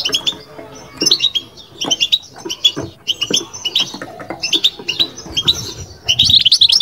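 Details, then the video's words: Caged European goldfinch twittering in batbata style: quick, bright high chirps in short phrases, building to a denser, louder burst at the end, with low knocks beneath. "بتبتة لو مغناش معها"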